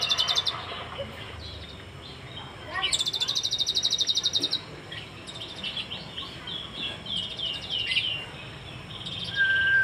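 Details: Sunbird known locally as kolibri ninja, from Cililin, singing a full 'isian' song: high, buzzy rapid trills in bursts, scattered sharp chirps and twittering, and a long flat whistle at the end, over a low background hum.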